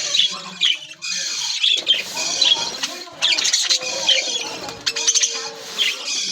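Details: Aviary budgerigars, a colony playing and singing together, give overlapping high warbles and sharp chirps, with some steadier tonal notes in between and a faint low hum underneath.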